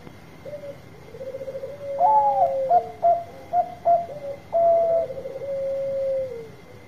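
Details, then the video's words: Bangkok-type zebra dove with a strong voice, used to coax idle birds into song: purring trilled coos, then a bright bent whistle, several quick hooted notes, and a long, level trilling coo that fades. A faint steady high tone runs throughout. "Suara Besar Perkutut Bangkok Gacor Obat Pancinga yang lagi Males Bunyi"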